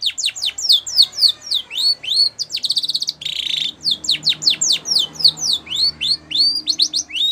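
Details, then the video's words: A white Spanish Timbrado canary sings training song: rapid chains of high, whistled sweeps with a brief, dense metallic roll midway through; no other sounds noticeable. "White Canary Singing / Spanish Timbrado song For Training"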